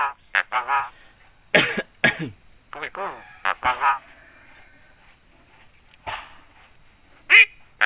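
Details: Javan myna (jalak kebo), a mimic of human greetings and coughs: irregular loud harsh syllables and croaky nasal notes in short clusters, separated by pauses, over a steady high hum.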